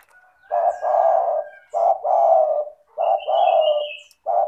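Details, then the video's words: Repeated spotted dove coos from a lively 'gacor' bird, played to prompt lazy doves to call: three low phrases of a short note plus a long mellow note, roughly every 1.2 seconds, with a thin high whistle overlapping. "Pancingan bunyi suara burung tekukur gacor cocok untuk terapi tekukur malas bunyi"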